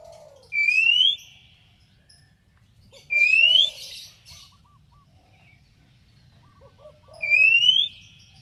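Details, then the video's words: Oriental magpie-robin (kacer) whistling to provoke a rival to answer: three long, clear upslurred whistles about four seconds apart, each trailed by soft low warbled notes, over a faint low hum. "SUARA BURUNG KACER TOKCER MEMANGGIL LAWAN NYAUT"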